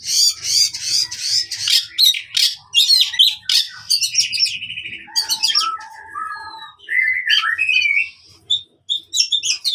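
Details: Oriental magpie-robin fighting song, used to train caged birds that have stopped singing: rich varied phrases of harsh scratchy notes, rapid trills and clear whistles, some low mid-pitched whistled notes, with a faint low hum beneath.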